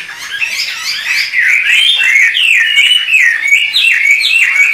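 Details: A pair of Chinese hwamei dueting vigorously. Unbroken, loud melodious whistling, with phrase after phrase of sliding, looping notes and quick trills tumbling over one another.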